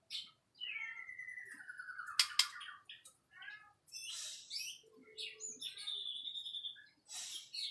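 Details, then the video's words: White-rumped shama song: a long descending whistle broken by two sharp cracks, followed by chattering notes, a steady high whistle and further varied phrases. "Kicau Murai Batu"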